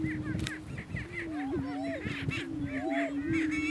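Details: Greater Prairie Chicken males fighting for dominance at a Kansas lek, northeast of the state; constant deep moaning hum with rising and falling whoops and clipped cackling bursts scattered over it.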